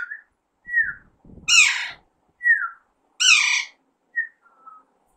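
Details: A young Alexandrine parakeet (pahari tota) in talking training gives brief descending whistles between two broad, harsh squawks, ending with a thin fading whistle. Soft human noises sit underneath.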